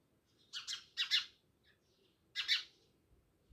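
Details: House sparrows, many living near a village house in Jamnagar, give three bursts of harsh, broadband chirps, the first two close together, then a pause before a final double chirp, over a quiet background.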